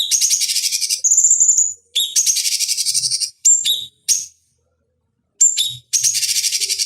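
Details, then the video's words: Cucak cungkok bulbul song for training fighting birds: rapid grating trills interleaved with high whistles and clipped chatter, a pause of over a second, then more chatter and a final trill. "Masteran Pancingan Cucak Cungkok Ampuh Untuk Terapi Dan Masteran Burung Petarung"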